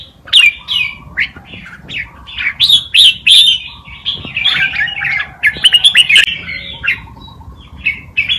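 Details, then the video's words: Red-whiskered bulbul singing a wild Malutin tutor song meant for young birds to copy: lively warbled notes in clusters of about three per second, over faint steady lower tones in the background. "นกกรงหัวจุก นกครูเพลงป่ามาลูติน เปิดสอนลูกนกก๊อฟติดง่าย"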